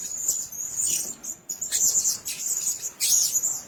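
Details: Blue-crowned hanging parrot at a nest: continuous very high, shrill chittering with brief breaks between buzzy squeaks.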